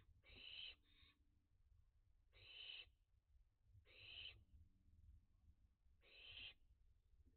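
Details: Barn owl young playing and flying at dusk on 29 June 2021 amid a heatwave. Four rough, breathy screeches are spaced roughly every two seconds over a quiet, low-humming background.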